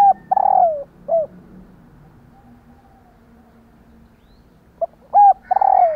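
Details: Female spotted dove calling to prompt male doves to coo: a short burst of clear, falling cooing notes, then a quiet gap of several seconds before another similar burst of two to three notes.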